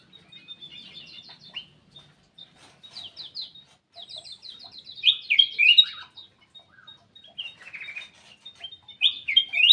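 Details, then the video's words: In an aviary, a black-capped bulbul sings busily: runs of quick high ticking notes, then louder rich, bubbling and slurred whistled phrases in repeated bursts, with chirps from other birds. "KICAU KUTILANG EMAS \ CUCAK EMAS GACOR"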